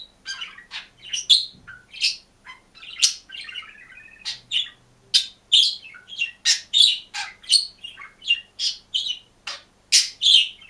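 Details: Green budgerigar alone in a cage in continuous song: a dense, chattering warble of squeaky, scratchy notes and sharp chirps, several every second, with a faint low thump near the start.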